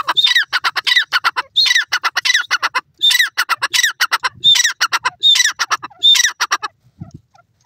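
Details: Grey francolin foraging among mustard leaves in a mustard field; loud, harsh, ringing call in bursts of rapid stacked notes, each burst about a second long, repeated roughly every one and a half seconds and ending in a few faint notes.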